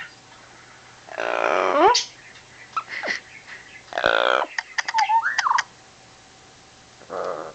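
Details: Pet Yellow-naped Amazon parrot laughing on cue indoors: harsh, raspy bursts with rising and falling whistled slides, separated by short pauses, ending with a softer guttural chuckle.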